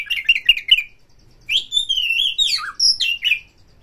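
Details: Excited Oriental magpie-robin in Indonesia, singing hard in breeding fervour and looking for a rival to fight. A fast run of chattering notes comes first, then a sustained whistled phrase that slides up and down and drops briefly.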